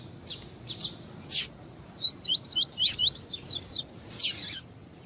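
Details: Warm-up tui-tui song of a double-collared seedeater: a few isolated high chips, then about eight swooping whistled notes climbing in pitch, ending in a short loud twitter.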